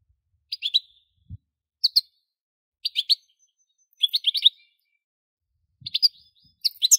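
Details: Short clusters of bright, chirpy goldfinch notes arrive roughly once a second, each a quick two- or three-note twitter, separated by quiet gaps, with a couple of soft low thumps.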